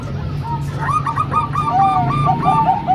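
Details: Zebra dove song, from a mix of three Bangkok-type birds and one local bird used to train young birds: a run of short, clipped cooing notes repeated in quick succession over a low background hum.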